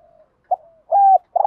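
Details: Spotted dove used as a morning decoy, calling a flock: short, low hooting coos in quick succession, a brief note, then a longer, level coo and another starting at the end.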